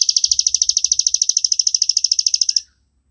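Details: Plain prinia of grassland and paddy fields in continuous ngebren song, used as a training master: an unbroken run of about thirty quick, sharp, high buzzy notes lasting over two seconds, then silence.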